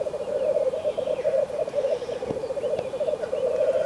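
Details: In a frosty landscape, black grouse keep up a low, pulsing, bubbling coo without pause; brief faint clicks and thin higher notes sit above the steady drone.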